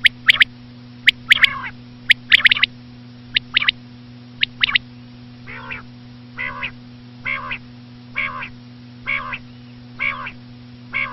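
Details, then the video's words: Common quail lure call, reportedly a female: quick high triple notes repeating each second, changing to a steady series of soft, nasal, wavering notes, all over a persistent low hum. "common quail.quail sound effect.batair ki Awaz.Звук самки перепела.صدای بلدرچین ۔.बटेर की आवाज"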